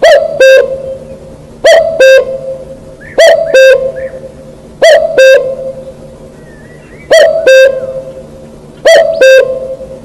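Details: Wild cuckoo repeating its mellow two-note call, a higher note falling to a lower one, six times at steady intervals of about one and a half seconds, with soft twittering of other birds behind.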